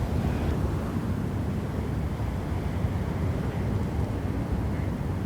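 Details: A steady low roar of traffic or wind noise runs throughout, with no animal sounds standing out.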